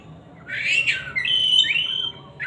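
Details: Oriental magpie-robin singing loudly: a rising whistled phrase followed by a long, steady, clear whistle, then a short burst at the end, all high and piercing over quiet background hiss.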